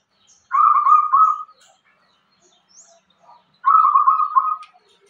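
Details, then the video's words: Local zebra dove singing actively in the irama style: two rapid, trilling cooing phrases about a second long, separated by a pause of roughly two seconds, with faint scattered chirps between them. "perkutut lokal irama gacor"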